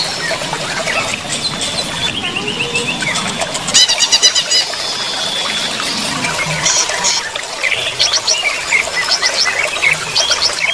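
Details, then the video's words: During running-water therapy, a greater green leafbird keeps up busy, high-pitched twittering with short rattling bursts and quick trilled phrases, all over a constant background hiss. "terapi air mengalir untuk cucak ijo"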